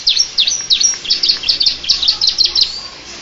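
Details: Canary song with a Bar-winged prinia flavour: a string of short, sharp, high chirps at about three per second, bright and clean against a quiet background.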